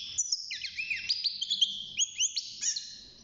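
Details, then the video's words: Six-month-old caged European goldfinch trying out its song: a brief rippling series of high, sweet twittering notes and rising slurs over faint background noise. "الحسون بعد مرور ستة شهور أصبح يغرد"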